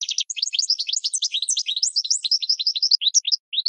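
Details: Continuous goldfinch song meant for training caged birds, a dense, liquid twitter of fast up-and-down high notes run together without pause over a clean, quiet background.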